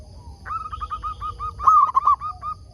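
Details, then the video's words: Local zebra dove used as a decoy to lure wild doves into answering; soft stuttering coos, a quick run of hooked notes followed by evenly spaced single coos, with a second fainter dove cooing alongside. "Perkutut lokal gacor RAJA PIKAT ini ahlinya bikin semua burung perkutut gacor nyaut"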